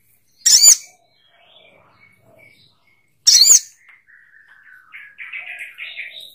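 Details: Sogok ontong bird calling with two loud, harsh scratchy bursts about three seconds apart, with faint softer whistled notes in between and a quieter warbling phrase at the end.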